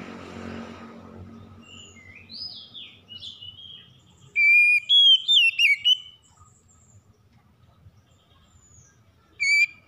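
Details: Oriental magpie-robin in morning song: soft, short whistles at first, then a loud run of bright, sliding whistled notes lasting about a second and a half, and one final brief whistle after a pause.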